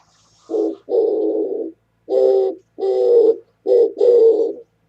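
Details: Oriental turtle dove cooing, recorded 27 January 2017: deep, slightly rough coos grouped as a short note followed by a longer one, phrases repeating steadily against a quiet background.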